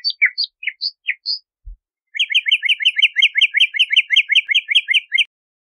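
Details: Bahama mockingbird song opening with several separate varied whistles, then after a short gap a rapid, even run of bright chirps repeated about three times a second for three seconds.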